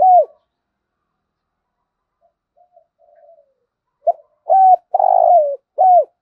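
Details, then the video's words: Spotted dove with the 'thúc gù' coo: a closing note, several seconds of faint soft murmurs, then one complete phrase of short note, level coo, long burred falling note and bent final coo. "cu gáy thúc gù"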